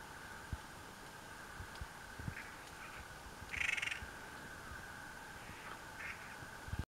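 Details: A Clark's nutcracker feeding on limber pine cones in the Pine Forest Range, Nevada, gives one harsh, grating call of about half a second, with a few fainter rasps around it, over a steady hum and scattered soft taps.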